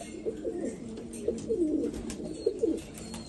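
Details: Black Afghan pigeons in Afghanistan; short bursts of deep, wavering coos come in quick clusters, separated by brief quiet gaps, with a few sharp clicks.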